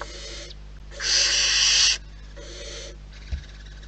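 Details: At a wild barn owl nest, short breathy hisses alternate with one long, loud, harsh hiss lasting nearly a second, followed by a softer hiss and a brief knock, with low hum throughout.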